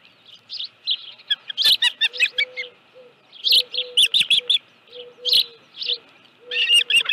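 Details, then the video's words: Osprey at its nest at Dunrovin Ranch with a live fish, 25 July 2018, 5:23 PM; sharp high chirps in scattered bursts, some rapid and clustered, with a steady low hum-like tone recurring beneath. "Osprey Nest Video_2018-07-25_174852-live fish"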